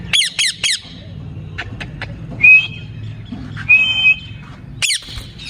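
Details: Ring-necked parakeet kept as a pet: three harsh, rapid squawks open, followed by soft clicks, two drawn-out clear whistles, and another burst of squawks near the end over a low background hum.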